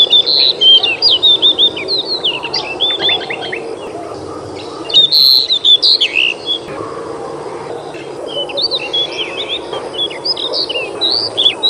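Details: Pied Bushchat, called kacer mini or decu, a small black-and-white bird with a loud, crystal-clear voice. Recorded 21 June 2021, it sings a long run of rapid, varied high whistles, with a brief pause midway before resuming.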